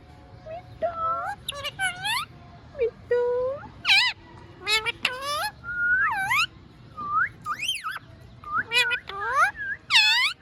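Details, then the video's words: Rose-ringed (ringneck) parakeet speaking imitated human words "Mia mithu chori khani hai" in a high, nasal voice, short bursts of syllables about once a second, mixed with rising and falling whistled notes. "Mia mithu chori khani hai speaking clearly |ringneck parrot"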